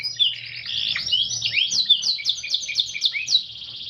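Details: Canary (kenari) song in a unique cengkok style: a dense warbling run of rapid rolling notes with repeated sharp downward-slurred whistles, steady and energetic.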